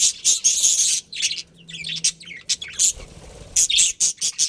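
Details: A budgerigar breeding pair in a colony chatters with bright, scratchy, high chirps in quick clusters, broken by short pauses.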